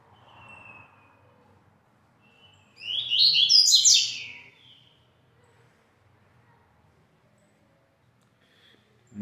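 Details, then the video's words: A pet Double-collared seedeater singing in the "pedrada" style at 5:15 pm gives a single fast, high twittering phrase of about a second and a half, bright and jumbled, over a quiet low hum. "olha o pedrada ai"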